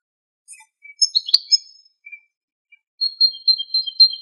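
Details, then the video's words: Wild male European goldfinch singing free in Greek nature on a very windy day: scattered high chirps and short twitters, then a sustained, wavering high tonal phrase with quick notes flickering above and below it. "Καρδερίνα Κελαηδάει στη Φύση - European goldfinch bird Singing"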